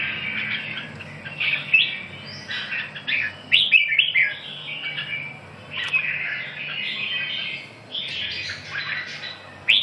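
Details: Red-whiskered bulbul song of jumbled whistled phrases over a steady hiss of background noise, the notes slightly softer and more blurred than a close recording.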